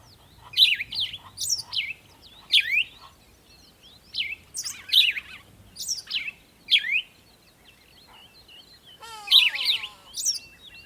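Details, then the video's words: Birds chirping at sunrise: a series of sharp, downward-sweeping chirps repeated roughly every second, followed by a lull and a final burst mixed with a buzzy trilled note. "Morning Sunrise and Birds sound"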